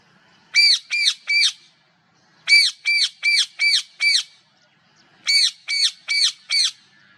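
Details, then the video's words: Parrot giving harsh, nasal squawks in three bursts of three to five evenly spaced calls each, with short pauses between bursts; no other sounds stand out. "amazing animal bird parrot creating different sounds || Parrot natural live voices"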